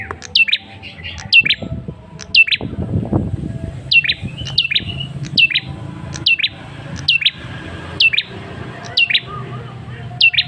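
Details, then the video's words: A male red-headed tailorbird gives its lure call for provoking responses: bright, steeply falling whistles in paired phrases, repeated about once a second, with a brief low rustling noise near the start. "Suara pancingan Prenjak Kepala Merah jantan"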